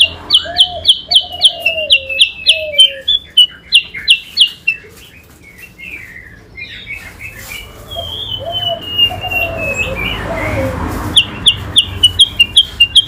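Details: Yellow-eyed babbler, kept as a cage bird, singing against a magpie-robin in a contest: fast runs of sharp whistled chips, lower fluting slurs, a quieter rustling stretch, then the rapid chipping resumes.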